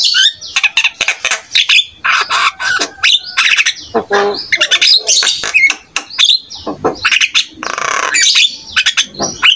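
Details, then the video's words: Jalak kebo (buffalo starling) in continuous song meant to prompt other starlings to reply: rapid choppy sequence of squawks, chattering notes, a harsh buzzy burst and short whistles with very few gaps. "SEMUA JALAK PASTI IKUT NYAUT"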